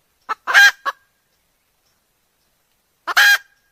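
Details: Junglefowl hen used as a lure for wild roosters: two brief bursts of harsh clucking squawks separated by about two seconds of silence.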